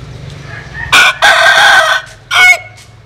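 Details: Rooster crowing, from a compilation of Vietnamese and American Sil chicken crows: a loud, harsh, strained crow with a short opening note, a sustained middle section and a brief clipped ending, over low rumbling background noise.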